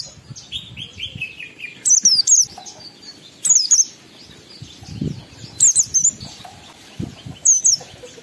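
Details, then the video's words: Oriental white-eye in full, lively song used to provoke other white-eyes and stir breeding urge, with short bursts of high, rapid, twisting warbled notes separated by pauses, plus a softer run of descending chirps early on. "Pendongkrak Emosi Pleci Tercepat agar Pleci cepat Ngalas gacor buka paruh || Pancingan Pleci"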